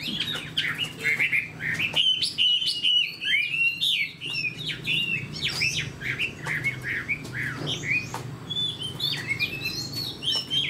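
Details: Spread-tailed caged Chinese hwamei, kept as a fighter, singing a lively chain of quick whistled notes, about two a second, mixing sharp rising slurs with warbled turns.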